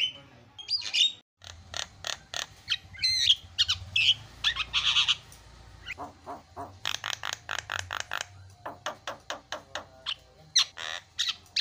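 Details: Javan myna (jalak kebo) in lively song, played as a lure to stir silent birds into singing: harsh buzzy bursts, rasping trills and a dense run of sharp clicks, then quick repeated staccato chips near the end.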